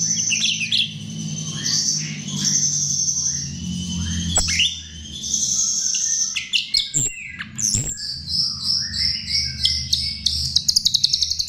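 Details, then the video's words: Chestnut-tailed starling song used to lure birds: continuous high scratchy warbling over a faint low hum, with slurred whistles, then rhythmic pulsing phrases repeated quickly toward the end. "Ternyata ini Pancingan Jalak RIO RIO"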